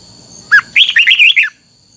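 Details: Red-whiskered bulbul performing a twisting double-note song for voice training: a sharp opening note, then a quick tumbling series of five rich, looping whistles lasting under a second, with a faint steady hum behind.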